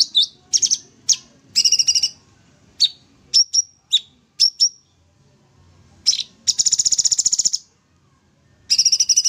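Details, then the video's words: Sooty-headed bulbul singing in full 'tembak' style: bursts of quick high rattles alternate with bright separate chips, and a long buzzy trill of rapid pulses near the end is followed by another. "Cucak Cungkok full tembak gacor"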